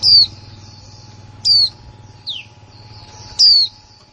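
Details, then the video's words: New female white-eye from 2020 giving kick mộc là líu calls. Three loud, high, down-slurred whistles are joined by one softer, lower falling note, over a low rumbling murmur and steady hiss. "khuyên mái kick mộc là líu , khuyên mái mới 2020"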